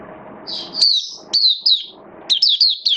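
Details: Oriental white-eye kept as a hobby songbird, fed on a diet adjusted for wet rainy weather, singing high thin twittering phrases of quick falling slurred notes in short bursts separated by pauses, over a faint low hum.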